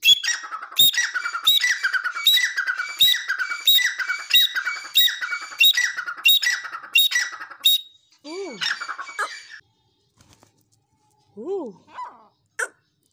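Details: Dakhni teetar, the grey francolin, delivers a long regular run of raspy, clipped phrases repeated over roughly eight seconds, followed by quieter mixed squawks and a few faint rising-falling sounds.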